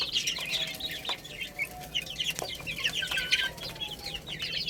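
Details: A group of baby chicks feeding and playing, their high downward-sliding peeps forming a dense chatter, with a faint steady hum and a few sharp taps.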